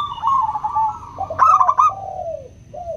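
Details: Cooing of a local zebra dove, played to prompt reluctant doves to sing: a rippling trilled coo, a brighter stuttering burst, then lower drawn-out falling notes.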